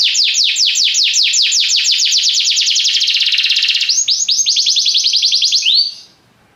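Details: Belgian canary delivering quick descending swept notes that merge into a dense fast roll, then a fresh burst of high sweeps ending in an upward slur before silence.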